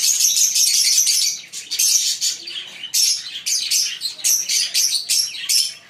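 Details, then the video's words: Loud, shrill chirping from a green Fischer's lovebird pair: a sustained burst of rapid high notes, a brief lull, then repeated short bursts of piercing squeaks. "Lovebird singing & Chirping Sound 5 Minute - Green Fischer pair"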